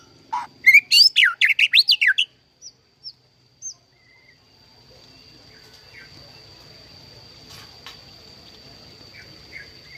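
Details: Captive-bred white-rumped shama giving a melodious song: a fast two-second burst of varied sweeping whistles and chatter, followed by a few short isolated notes and then quiet with a faint steady high tone.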